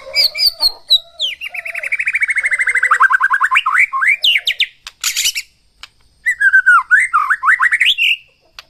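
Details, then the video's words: White-rumped shama in loud full song: a long run of fast repeated notes sliding steadily downward, then rising whistled swoops, a short pause and another sweeping, falling-and-rising whistled phrase. "OCEHAN MURAI BATU GACOR"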